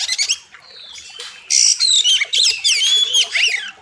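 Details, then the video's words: Oriental magpie-robin in loud, sharp song, a master recording for training birds, with a wild river setting. Brief chips open before a long, steady run of tightly packed whistled slurs, buzzy notes and fast trills. "Masteran Kacer Gacor Tajam Full Isian"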